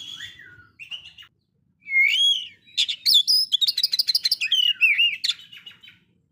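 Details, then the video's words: Oriental magpie-robin singing against a rival to provoke it: whistled slurred notes swoop up and down, then break into a fast, dense run of sharp chattering phrases before fading. "KACER SANGAT MEMBAGONGKAN LAWAN"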